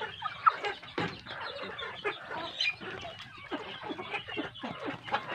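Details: Big chicks raised on good feed calling in a crowd, with scattered thin chirps over a busier layer of lower, throaty clucking notes, uneven and overlapping throughout.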